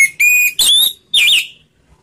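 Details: Orange-headed thrush singing in the ngeplong slow style: two clear whistled notes near a steady pitch, then two louder, rising and wavering whistles with rich overtones, separated by short gaps, with a quiet low hum underneath.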